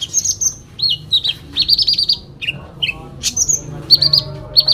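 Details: Sooty-headed bulbul in full fighting song: mixed high whistles and short rattling trill bursts, with slurred chirps interspersed in a lively, irregular flow.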